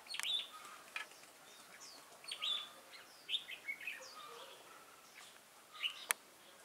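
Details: A wild-caught red-whiskered bulbul, recorded 22 October 2018, gives scattered short whistled notes and slurred chirps at moderate distance, separated by pauses, with occasional sharp clicks and faint background hiss.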